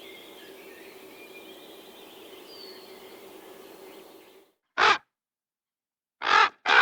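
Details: Background hiss cuts off, then three short, harsh raven calls, the last two close together.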